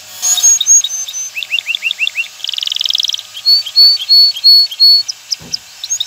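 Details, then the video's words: Male canary song meant to bring a female into breeding condition and nest building: varied high chirps, a row of rising slurred notes, a brief buzzy trill, then clear sustained whistles over faint hiss. "اقوى تغريد ذكر الكناري لتجهيز انثى الكناري للتزاوج و تحفّزها على بناء العش"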